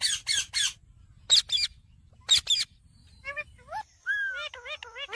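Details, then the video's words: Indian parrot calling: harsh broadband squawks in short bursts, followed by a series of wavering, rising and falling whistled notes. "Indian cute parrot sound"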